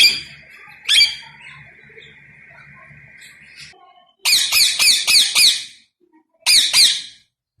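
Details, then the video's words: Rose-ringed parakeet calling: one harsh screech, then a rapid run of five grating squawks, a pause, and two more shrill screeches, with a faint steady hum early on. "Ringneck Parrot Natural voice | Natural Parrot Sounds"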